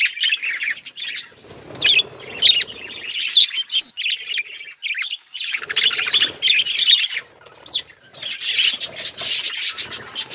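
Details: Hand-tame budgerigars kept as pets give bursts of dense, scratchy warbling and sharp chirps, broken by brief silences, with faint low rustling in places.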